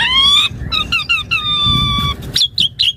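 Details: Asian pied starling in full song for training other birds: drawn-out nasal, harmonic whistles, some broken into short pieces, followed by three quick high twisting squeaks.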